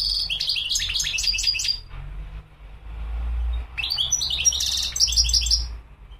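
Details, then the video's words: Goldfinch (mqnin) delivering two energetic bursts of chattering, tinkling song with buzzy, nasal elements, divided by a quieter stretch, over a continuous low droning hum. "تغريد الحسون مقنين"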